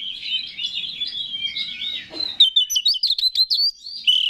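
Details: Oriental magpie-robin singing to provoke other males into song; a soft rambling warble builds into a string of loud, sharp whistled notes and rapid chips, ending on a sustained phrase.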